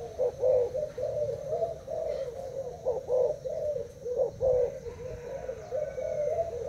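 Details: Caged Thai-type spotted doves dueling by cooing against an uncovered decoy bird; deep, hollow coo phrases repeat in bursts about every second, the birds overlapping, with a faint high whistle late on.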